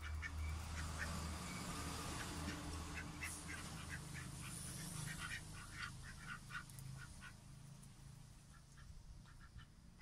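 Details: Male pet aigamo duck, newly joined the household in June 2023, giving a steady run of short, soft nasal calls repeated several times a second over a low background rumble.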